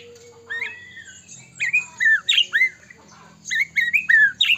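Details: White-rumped shama, Medan type, singing steadily as a lure that spurs other shamas to sing and become agitated. Clear downslurred whistles in short groups, separated by a pause, over a low steady background hum.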